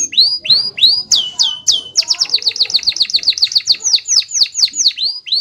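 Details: Canary singing in the rolling "ngerol" style: a loud, continuous high song. It opens with curved whistled notes, then moves into rapid sharp chirps and a long fast rolling series of descending notes repeated several times per second. No other sounds.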